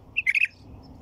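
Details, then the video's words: Brief white-eared bulbul phrase of three or four rapid, bubbling whistled notes delivered in under half a second, with a quiet background. "تغريد بلبل طور"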